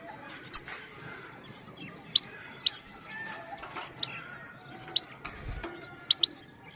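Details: Calm female goldfinch call used to excite males and teach young goldfinches: single sharp, very high 'pit' notes spaced about a second apart, some doubled, against a quiet background.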